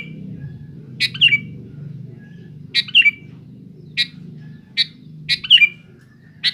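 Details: Challenging sooty-headed bulbul with short, spaced chattering phrases and single sharp chips at irregular intervals, some ending in a falling slurred note, backed by a constant low hum.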